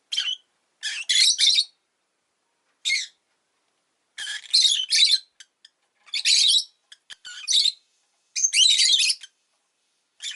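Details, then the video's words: {'caption': 'Pet rosy-faced lovebird chirping in harsh, buzzy bursts, several notes clustered together, then pauses of about a second before the next cluster.'} "Lovebird Chirping Sounds"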